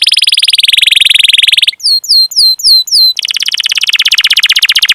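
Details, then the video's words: Canary with long cuit-cuit rolling song, meant to coax young, untrained or silent canaries into singing; a steady buzzy trill, then four paired high downswept chips, then a fast pulsing roll. "Masteran Suara Burung Kenari Gacor Panjang cuit cuit Ngerol untuk Pancingan Kenari!"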